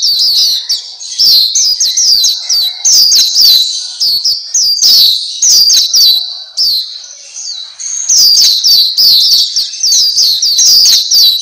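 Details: Long run of black-capped white-eye song, the Pleci Papua of masteran recordings for caged birds: rapid shrill twittering in repeated bursts with short pauses, one longer break before a final lively stretch.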